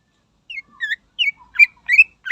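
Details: Song of a Greater green leafbird used to stir up rival birds: a varied string of separate whistled notes, some slurred downward, some rising, growing louder towards the end.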